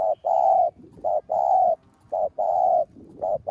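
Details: Decoy spotted dove calling to stimulate other doves: steady alternating short and long mellow coos, about one per second, with a soft rustling background.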